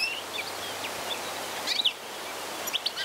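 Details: European goldfinch song: a few brief, high twittering chirps, mostly in two short bursts near the middle and the end, over a steady soft background hiss.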